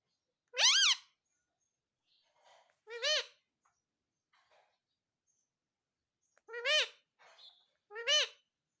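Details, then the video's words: Indoor pet parrot repeating "mummy" four times: short, arched, strongly harmonic utterances spaced one to three seconds apart, with faint softer sounds between them. "Mummy Mummy Bolne Wala parrot"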